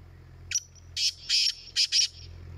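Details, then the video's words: Calling contest of a black francolin: a single loud, grating phrase of a short lead note followed by four harsh, buzzy syllables in quick succession, against quiet low hum. "Kala teetar ki awaz ka Muqabla"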